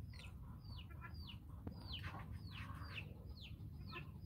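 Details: Guineafowl flock on a farm following the hen: rapid run of high, downward-sliding whistled calls, several birds overlapping, over low background rumble.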